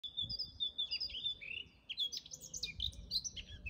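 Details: Eurasian blackcap singing in a natural garden, a great tit audibly singing too: fast, varied warbling of bright whistled and scratchy notes that grows richer and higher toward the end, over light low background rumble.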